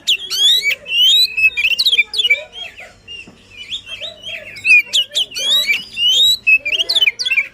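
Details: Oriental magpie-robin in lively, emotional full song, used to stir a reluctant bird into singing: loud whistled phrases sliding up and down, rapid chattering bursts and sharp high notes, with a short quieter pause midway.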